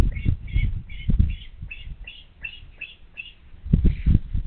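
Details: Bald eagle at its nest, filmed by a live nest camera on 16 July 2022 in the afternoon: a quick series of about ten high, thin, squeaky chirps, roughly three a second, over low thumping and rumbling noise.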